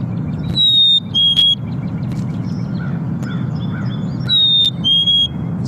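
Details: Black-capped Chickadee song, rendered 'cheeseburger': clear whistled two-note phrases, a higher note dropping to a lower one, given twice over a steady low rumble with faint chips; used for courtship and to establish or maintain territory.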